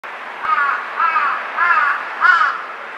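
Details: Jungle crow perched on an electric wire, switching between four kinds of calls: four hoarse, nasal caws of similar length, spaced about every half second against steady background hiss.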